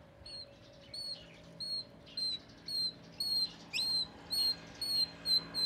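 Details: Oriental magpie-robin, called binla in southern Thailand, the household's first bird: a steady series of about eleven clear, high whistled notes, evenly spaced roughly every half second, over a quiet background hum.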